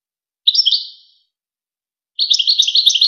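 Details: European goldfinch singing on a training tape for young goldfinches and hybrids: one short twittering phrase, a silent gap, then a rapid, continuous bright twitter of tightly repeated notes; nothing else audible.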